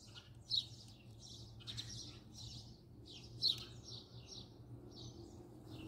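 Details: A house sparrow recorded up close sings a run of sharp, repeated chirps, each brief and slightly downslurred, coming in loose clusters with a faint background hum.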